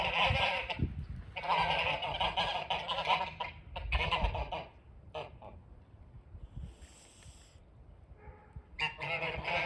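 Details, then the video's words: Geese calling near a front porch: loud, nasal, harmonic honks in bursts over the first four seconds, then a quieter pause with a few faint calls, and a fresh burst of honking at the end. "Geese Making Noise in my Front Porch"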